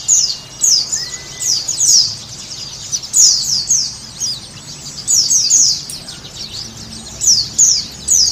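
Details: Sunda white-eye song played to stimulate a caged bird to sing and open its beak: high, thin descending chirps in quick bursts, repeated roughly every second with short pauses, over faint low background hum.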